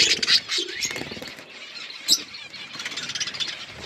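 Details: A budgie flock at its food keeps up a continuous, busy high-pitched chatter with occasional squeaky notes standing out from the blur of many voices.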